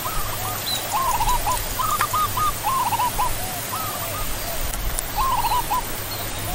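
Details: Zebra dove (Geopelia striata), the Indonesian perkutut, uttering clusters of fast, fluttering cooed notes. The bursts are separated by short pauses, with a steady low hum and hiss beneath.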